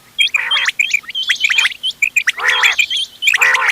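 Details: Quail of mixed local types (ghonge wal, doghla, changa), used for hunting, 31 October 2025: hooked whistled notes mixed with loud raspy, gargling bursts, overlapping calls from several birds.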